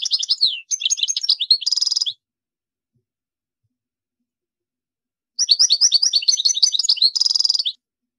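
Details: Two goldfinch song phrases several seconds apart, each a quick twittering run finished by a harsh buzzing trill.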